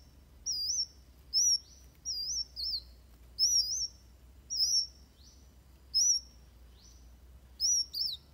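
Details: Fighting song of Van Hasselt's sunbird, meant for tutoring other birds: very high, quavering whistled notes in short bursts spaced roughly every half to one second, low steady hum beneath.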